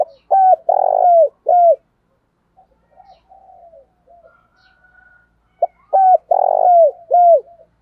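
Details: Spotted dove used as a decoy to stir wild doves into cooing. Two phrases of low hollow coos, each a few short notes around a longer rolling one, separated by about four seconds of faint softer murmurs.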